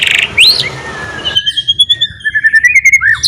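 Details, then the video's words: Caged white-rumped shama singing loud, lively song used to prompt other shamas to sing: clear whistled sweeps and long level whistles near mid-high pitch, then a fast run of repeated notes ending in a rising slur. "MURAI BATU GACOR ..TEPAT UNTUK PANCINGAN , MURAI BATU MACET KURANG GACOR,AGAR BUNYI LAGI"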